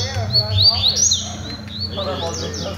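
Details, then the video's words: Brief passage from a double-collared seedeater song training: high, rising and falling slurred whistles in quick succession over a steady low hum and some lower murmuring sounds. "COLEIROS DANDO UM TREINO"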